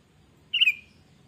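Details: Sooty-headed bulbul, a vigorous singer whose voice serves as a lure for training: one brief, clear, slightly quavering note over a soft, steady low hum.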